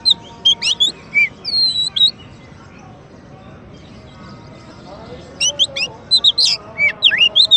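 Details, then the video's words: Champion Oriental magpie-robin, recorded as training and teaser material for white-rumped shamas, gives quick twisting whistled phrases, falls silent for about three seconds, then resumes with rapid sharp chips and slurred notes; faint low hum behind. "Kacer Juara untuk Masteran dan Pancingan murai batu"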